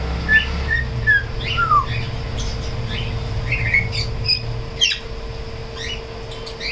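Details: African grey parrot, tame and kept at a Koramangala bird shop, singing in short bursts: clipped downward whistles, a few squawky notes and chirps, with low rumbling background noise and a steady hum.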